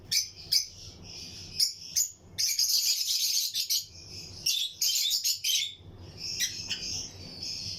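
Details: Lutino lovebird pairs chirping in an aviary breeding colony alongside other birds: scattered sharp chirps, then a loud dense stretch of shrill overlapping twittering, easing back to steady high chatter.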